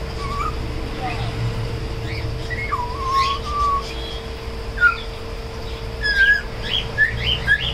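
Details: Whistling African grey parrot, a tame shop bird in Koramangala, trying to talk and sing: low wavering whistles, a drawn-out level note, then sharper downslurred whistles and chirps, with a faint continuous hum.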